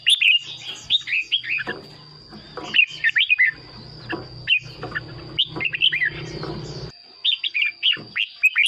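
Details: Caged red-whiskered bulbul, its song meant to excite other birds or serve as a decoy: repeated sweet whistled phrases of falling slurred notes, bursts every second or two, with low rumbling background and a steady high tone.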